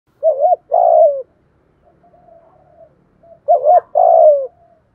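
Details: Spotted dove singing in the 'thổ pha' voice style, used to provoke wild doves into cooing quickly and to train decoy birds: two short hoarse cooing phrases, each ending in a longer falling coo, about three seconds apart.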